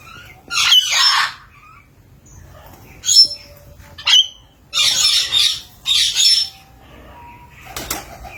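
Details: Green and blue parrot making scattered harsh squawks and short screeches between quiet stretches, with brief whistled notes and a sharp knock near the end.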